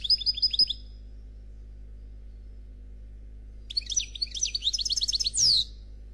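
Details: Khalwi-style song from a 'Noir' European goldfinch, said to be faultless: a short burst of quick high chirps, a long silence, then a busy twittering phrase ending in a sharp descending note, with a low background hum.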